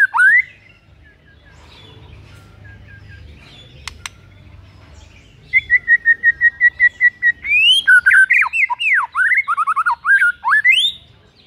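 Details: White-rumped shama heard in the morning, singing to goad a rival shama: a whistled opening, a quiet pause, then a fast series of about ten even repeated notes leading into loud, varied whistled slurs and trills.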